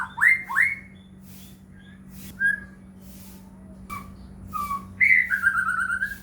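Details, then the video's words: White-rumped shama song used as a lure to make other shamas sing: loud rising whistled slurs near the start, then scattered short whistles and a drawn-out falling whistled phrase, over a steady low hum. "murai batu gacor AMPUH buat PANCINGAN murai batu agar bunyi"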